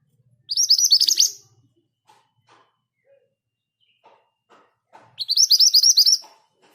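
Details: Two bursts of rolling 'ngerol' song from a vocal mountain scarlet minivet kept with other birds, each about a second of rapid high rising whistles. Soft scattered ticks and chirps fill the pause between them.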